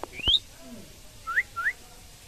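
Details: Indian common myna, a talking bird, giving three short whistled notes: one sweeping up high, then two shorter rising slurs about a quarter second apart, against a quiet room background.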